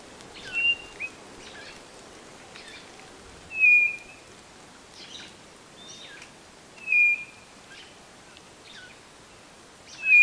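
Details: Northeastern Brazil's white-bellied nothura, song used to lure birds into a trap box: four long, level-to-falling whistles spaced roughly three seconds apart, with soft chirps and rustling between.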